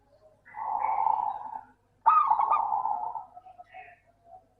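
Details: Local zebra dove, its song used to lure reluctant doves into singing: a drawn-out steady coo over a second long, then a stuttering rolling phrase trailing into soft notes, faint high chirps of other birds behind.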